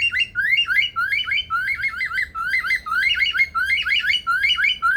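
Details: Superb lyrebird male living in an Australian rainforest aviary at Adelaide Zoo imitates alarm-like sounds: rapid, loud, repeated rising whistled chirps in tight bursts, nearly two per second, continuing without pause.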